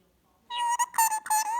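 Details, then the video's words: A pet recessive pied Indian ringneck parrot (rose-ringed parakeet) talks indoors at night, saying "you wanna cuddle cuddle" in a high, nasal, squeaky voice, running quick word-like syllables together over about one second. "Talking Ringneck Parrot Ricco Says “You Wanna Cuddle Cuddle”"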